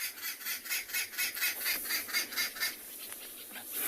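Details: Arrow-marked babblers? No, only "babbler": babblers calling from a leadwood tree at a waterhole in the Kalahari on an afternoon safari, giving contact calls in a harsh, raspy chorus, rapid scratchy bursts about twice a second.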